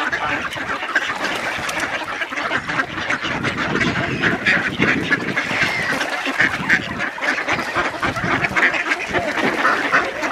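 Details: Flock of ducks at feeding time on Diss Mere in December 2022, with two geese among them; steady crowded quacking and chattering calls, many birds at once, with bursts of louder harsh notes and constant background bustle.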